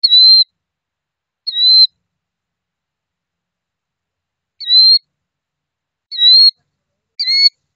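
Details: A female killdeer tending her hatchlings gives five shrill, high, slightly slurred notes, spaced irregularly one to three seconds apart, with quiet background between them.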